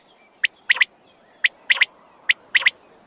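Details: Wild quail, pugo in the local tongue: a single sharp note followed by a quick double or triple burst, pattern repeated three times at roughly one-second spacing against faint hiss.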